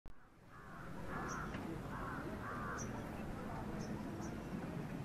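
A female Asian koel gives a harsh, grating series of short raspy notes in quick bursts over steady low rumbling background noise, with faint high pips from another bird.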